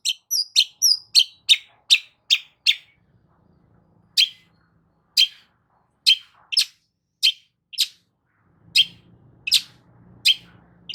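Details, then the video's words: Long-tailed shrike song played to provoke a silent shrike into singing: sharp, harsh chip notes, rapid at first, then spaced about every half second to second, with a faint low hum late on. "CENDET MACET COBA PANCING DENGAR KICAU EFEKTIF SUPER LANTR BONGKR ISIAN INI DIJAMIN NYAUT"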